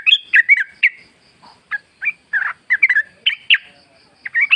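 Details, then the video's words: Yellow-vented Bulbul from Indonesia, a lure to prompt replies: scattered loud, rich chirps and short gurgling phrases spaced irregularly, with quiet gaps between bursts. "pancingan trucuk gacor ngalas full suara alam"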